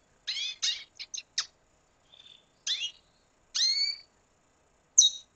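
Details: Venezuelan red siskin giving high chirps and clipped notes, a few with downward-sweeping tones, spaced by brief silences in an otherwise quiet setting.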